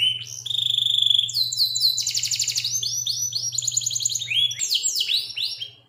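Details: Local canary singing an elaborate training song: a sustained whistled note, then fast rolling trills and chattering notes, closing with rapid rising slurs; soft low hum until near the end.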